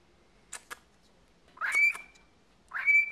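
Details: Two short, bright whistled calls from a chattering 14-year-old male pet cockatiel, each a rough onset settling into a steady high tone, after a pair of faint clicks.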